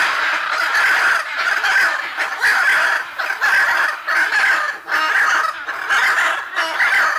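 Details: Hyacinth Macaws, a pair among other macaws, squawking nonstop in the southern Pantanal of Brazil in July 2019; loud, hoarse, grating calls in overlapping bursts roughly every second, forming a dense, unbroken chorus.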